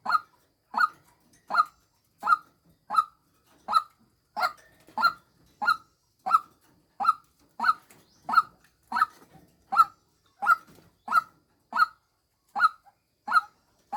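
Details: Repetitive calling of a female white-breasted waterhen, a lure recording: about twenty short, harsh, identical croaks in a long unbroken series, spaced evenly at well over one per second, background quiet.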